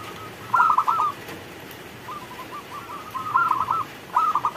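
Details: Local zebra dove song during rain: a loud clipped burst of coos, then faint rolling notes building to a second burst and the start of a third, with hiss throughout.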